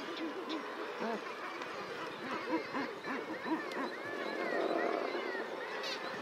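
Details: Common guillemots crowing: a dense, overlapping chorus of low, hoarse, arching croaks and growls pouring out continuously, with a few thinner higher calls faintly above.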